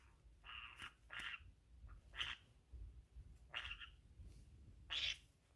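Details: Female pet green-cheeked conure indoors, chewing at and destroying a pocket, perhaps wanting to mate: harsh, raspy squawks in short bursts, uneven, roughly one every second, with a quiet room behind.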